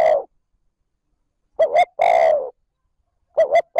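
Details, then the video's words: Spotted dove giving its 'trơn ròng' luring call. The end of one coo is followed by a full phrase of two brisk notes and a long husky coo, and then another phrase begins after a silent pause. "Tiếng cu gáy trơn ròng thúc gù gáy kích bổi nhanh nổi / Cu gáy gọi trơn ròng"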